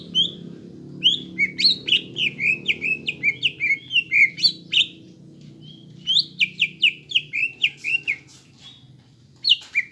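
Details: Greater green leafbird singing continuously to encourage young leafbirds to sing: dense bursts of rapid, chattering down-slurred whistles, each burst lasting a few seconds, separated by short pauses.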